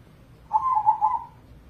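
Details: Crossbred zebra dove, a contest bird used to trigger singing in other doves. A single low, warbling, bubbly coo of under a second rises briefly and rolls through several pulses.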